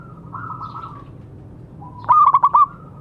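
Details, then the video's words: Local zebra dove used to get quiet doves singing: a soft purring trill, then a loud quick burst of four or five clipped pulsed notes. "Perkutut lokal gacor suara bagus untuk terapi yang macet bunyi."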